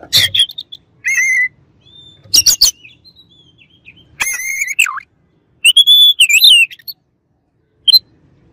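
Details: Oriental magpie-robin song used against rivals: sustained clear whistles, a wavering whistled phrase, and brief harsh rasping bursts, separated by silent gaps.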